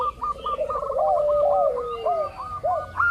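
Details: A local zebra dove, used as a lure to make other doves answer, gives a soft, trilling coo series: a rapid rolling purr followed by several mellow, arched cooing notes repeated at a steady pace.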